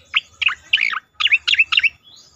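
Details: Striated grassbird therapy song to set other birds singing: five loud, clipped chirps with twisting downward inflections, in two groups with a brief gap, against a quiet background.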